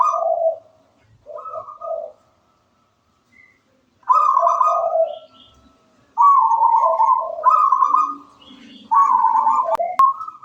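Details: Local wild-stock zebra dove in vigorous song: several bursts of soft, rapidly pulsed coos shifting between two pitch levels, separated by short silences, with faint clicks near the end.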